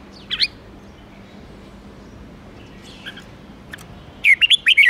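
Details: Red-whiskered bulbul, a kept songbird, with song used to provoke other bulbuls into fierce competitive singing: a short bright whistled phrase at the start, a long quiet gap with faint chirps, then a rapid burst of clear, warbling whistled notes at the end.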